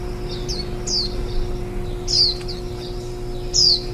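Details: Warbling white-eye raising nestlings on 23 July 2018, one day before fledging. High, thin, down-slurred chirps come irregularly, a loud one roughly every one and a half seconds, with quieter notes between and a faint hum.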